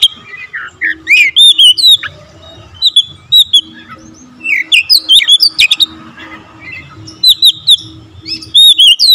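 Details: Fast, packed singing from an Oriental magpie-robin with full variation of fill-in phrases: short whistled slurs and chips in repeated bursts, with a faint steady low hum underneath.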